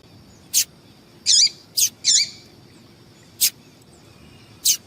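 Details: Female yellow-bellied seedeater giving calls meant to excite males; a quick series of sharp high ticks mixed with buzzy, downward-curving chirps, irregularly spaced over about five seconds, with a faint background hiss.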